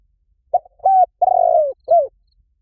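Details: Cooing of a spotted dove, used to lure doves: a clipped opening note, a steady mid-pitched coo, a longer quavering note easing downward, and a short drooping final coo. No other sounds.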